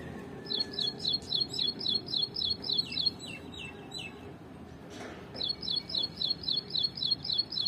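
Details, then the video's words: Ashy prinia singing in a tree: a fast, regular series of high, sharp notes, about four a second, in two bursts separated by a short pause. "Ashy Prinia Wren Warbler | Plain Brown Prinia Beautiful Sound and Voice | Song in the tree"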